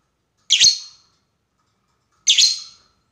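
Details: Lovebird calling to a rival in a lure recording of long 'ngekek' chatter; two loud, harsh screeches separated by almost two seconds of quiet.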